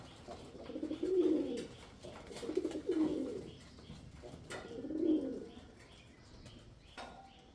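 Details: Deep, soft cooing from a male pigeon in three separate swelling bursts, each a murmured rolling phrase about a second long, with long quiet gaps and a faint tap near the end.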